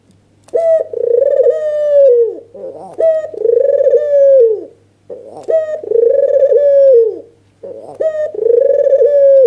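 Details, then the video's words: Agitated albino white dove with red eyes, nodding and cooing to provoke another dove: four long throbbing coos roughly every two and a half seconds, each sagging at the end, with a faint steady hum. "Suara PANCINGAN burung PUTER PUTIH MATA MERAH full ngangguk EMOSI"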